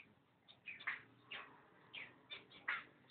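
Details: Pair of cockatiels, recorded 05.06.11: quiet, slightly harsh chirps repeated roughly every half second over steady background hiss.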